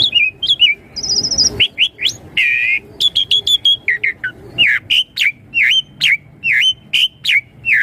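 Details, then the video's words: Asian pied starling song for drawing young birds into answering: a high buzzy trill, then repeated looping whistles and short chirps delivered in a quick, regular series. "Suara Jalak Suren Untuk Pancingan Burung Jalak Suren Muda Agar Cepat Nyaut"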